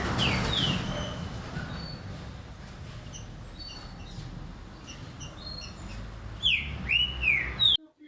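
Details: After a stretch of faint high chirps from other birds, green-winged saltator song bursts in near the end with three strong, arching whistled notes in quick sequence.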